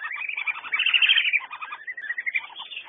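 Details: Whistling duck: a brief run of thin, wavering whistles that swell in the middle, with lower chirping notes beneath and more whistles trailing off.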